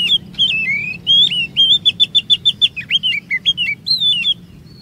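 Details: Oriental magpie-robin singing as a lure for other kacer to sing long 'ngerol' phrases: a continuous string of fluty, bending whistles broken by a fast run of short repeated chips near the middle.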